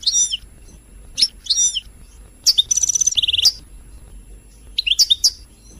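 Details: European goldfinch, called royal goldfinch, singing, used to stimulate other birds to sing: short bursts of high, bright twittering notes in scattered phrases with brief pauses, one buzzy trill in the middle, quiet low hum behind.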